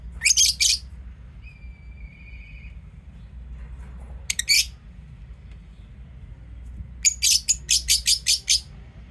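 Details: Pet lovebirds giving shrill, harsh chirps in short bursts. One burst opens, a second comes near the middle, then a quick run of about seven sharp chirps closes. A thin whistle-like tone sounds in between over a low room hum.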